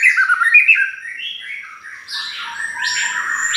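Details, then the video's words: Provoking lure of white-rumped shama song: loud varied whistled notes sliding downward, then higher rising sweeps and trills over a faint steady tone. "Pancingan Ampuhh || Pastol Gacorr !!"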